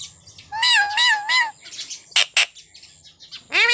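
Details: Pet parrot vocalizing: three loud, harmonic-rich nasal syllables in quick succession, then two sharp high bursts and a closing rising squawk-like note, with soft background rumble.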